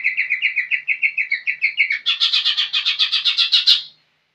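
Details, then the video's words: A young green leafbird sings a long run of rapid chirps, steady and tonal for two seconds, then shifting into a denser, buzzier and higher stretch before stopping. "Cucak ijo muda super gacor"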